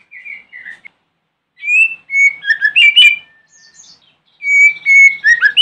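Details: White-rumped shama (Copsychus malabaricus) morning song used to provoke other shamas to answer: rich, varied whistled phrases with clear notes, quick chattering runs and short pauses between bursts; finding: White-rumped shama.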